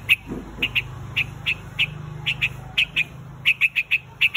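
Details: Spaced, sharp single chips from a white-headed bird calling the flock, a few notes bunched closer together toward the end, over a low background hum.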